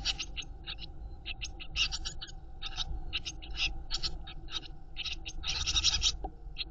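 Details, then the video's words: Eurasian blue tit chicks in a nest box begging while the mother feeds them: dense bursts of short, scratchy, high-pitched calls, coming in quick irregular clusters and swelling near the end, over a low rumbling background. "Die Blaumeisen Küken werden von der Mutter Blaumeise gefüttert"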